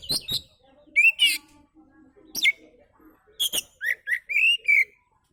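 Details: Oriental magpie-robin in relaxed song, played as a lure to draw other birds: sharp clicks, clear slurred whistles and a closing run of rising-falling whistled notes, with short silences between bursts.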